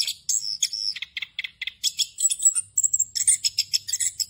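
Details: Orange-headed thrush 'ngerol' song with fill-in phrases, used to tutor young birds: spaced high chirps at first, then a quickening run of sharp notes and a sustained thin whistle near the end.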